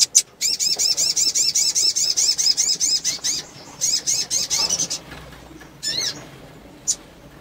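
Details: Sunbird female in breeding condition calling to stimulate males: fast, even strings of very high, looping twittered notes, about two and a half per second, broken by a brief pause, then a few isolated chips.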